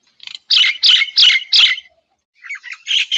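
A myna gives four harsh, rasping notes about three per second, followed by a few scratchy chattering calls.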